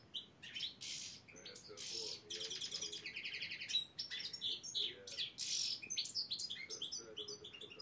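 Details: Black-headed goldfinch in a qualifying song contest in Saint Petersburg, chir-chir style: a long, almost unbroken run of tinkling, buzzy twitters, rapid rattled trills and sharp chirps, with a faint low background hum.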